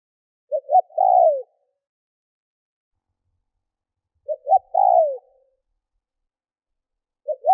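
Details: Lure spotted dove giving its provoking coo: two complete phrases nearly four seconds apart, each made of a pair of quick short notes and a longer downward-sliding coo, with the start of a third at the end.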